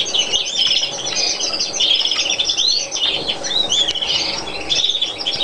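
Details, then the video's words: Colour-mutation European greenfinch from Chios, Greece, 2012: a sustained jumble of twittering chirps, upward-swept whistles and scratchy notes, with a loud brief click near the end. "carduelis chloris mutation μεταλαγμενα φλωρακια"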